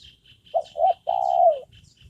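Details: Spotted dove kept as a trained decoy for luring wild doves, calling steadily: three low cooing notes, two short, then one long drawn-out coo that falls slightly, over a steady series of high, regular insect-like chirps.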